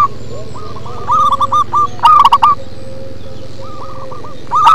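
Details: Local zebra dove (perkutut) singing in a deep, bass style: a loud burst of rapid rolling cooing notes midway, with softer bubbling coo phrases before and after, over a steady low hum.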